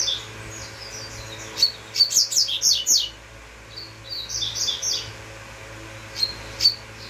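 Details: Double-collared seedeater pours out rapid, high chipped and whistled notes, then a run of repeated tones, then a few spaced sharp chips, over a soft low hum.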